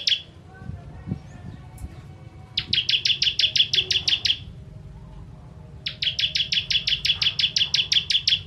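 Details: Bar-winged prinia (ciblek) 'kristal' song for mastering songbirds: two bursts of fast, evenly spaced, high buzzy chips, each lasting about two seconds and separated by a short pause, over quiet low hum.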